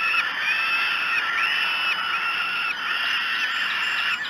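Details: At Great Spirit Bluff on 5 June 2016, 06:54, falcon chicks at a breakfast feeding keep up a steady, raspy, high wailing, with short upslurred notes breaking through the chorus.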